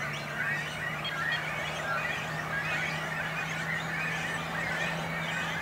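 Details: Great cormorants at a breeding colony with chicks on a small island in a little lake in Langedijk, between Noord and Zuid Scharwoude, Netherlands; a dense, continuous chorus of harsh overlapping calls, with a steady low hum underneath.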